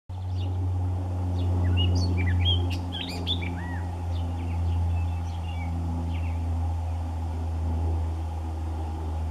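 A gray catbird sings a rambling jumble of squeaky, slurred and chattering phrases with mimicked notes, over a loud steady low hum like engine noise.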